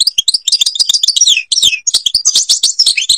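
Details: Song of a European goldfinch in Algeria, associated with the Babas forest at Tiberli: dense, high twittering with sharp chirps and descending slurs, two brief gaps.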